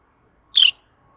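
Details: A Carolina wren calling early in the morning gives a single short, bright chirp that slurs slightly downward, against an otherwise quiet background with a faint hum.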